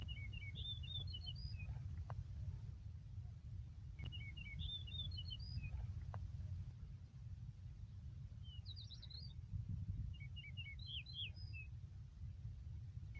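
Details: Yellow-breasted bunting singing on a green meadow in Yakutsk on 4 June 2020: short whistled phrases of clear notes climbing in pitch, given about four times in thirteen seconds over a steady low rumble.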